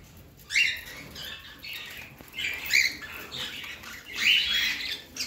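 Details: Pet parrot giving three harsh, raspy squawks spaced about a second apart, each a short noisy burst, with quiet hiss between calls.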